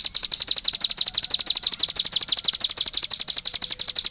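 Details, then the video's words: Cigun singing energetically: a fast, steady series of sharp, high chirps, about three per second, running without a break through the whole stretch. "suara burung CIGUN gacor"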